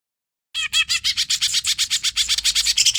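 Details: Cucak ijo, the greater green leafbird, singing a hyper training song after half a second of silence. A fast stream of harsh, chattering notes repeats about four times per second, mixing scratchy buzzes with a few clearer whistled slurs.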